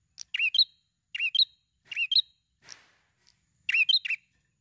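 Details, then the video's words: Prinia repeating a tight, lively song meant to trigger other birds to sing: four bright bursts of fast, sharp chirping notes, each under half a second, with a soft breathy note between. "Burung Prenjak Gacor Bunyi Rapat Ampuh Untuk Pancing Bunyi"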